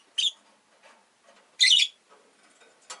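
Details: Caged rosy-faced lovebirds, five kept together near a window, give two loud, piercing chirps about a second and a half apart, then a shorter third call, with soft chatter between.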